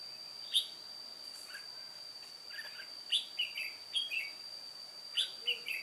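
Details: Red-whiskered bulbul used as an old decoy at a trap, singing solo on 1 July 2018: an early single note, then a run of clear, rolling whistled phrases, each of two or three notes, over a continuous high whine.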